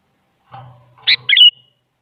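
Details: Sooty-headed bulbul, a female calling a male, used as a lure to make a silent bulbul answer: a faint low hum, then two short bright bubbly notes, the second with a trailing whistle.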